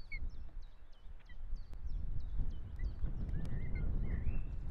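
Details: Osprey at the nest in Estonia in 2018 giving quick repeated sharp chirps with a few thin rising whistles, set against strong low rumbling wind noise.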